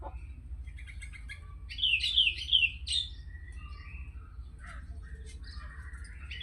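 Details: Sooty-headed bulbul singing actively, giving short chirped and whistled phrases, with a brighter burst of quick rising notes around two seconds, then softer scattered chirps, over a low steady rumble.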